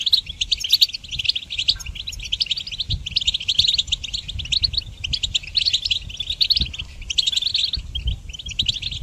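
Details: A goldfinch, possibly a hybrid, sings a song used for training songbirds: a fast, unbroken stream of bright, tinkling twitters and liquid trills with only brief pauses, over a faint low rumble.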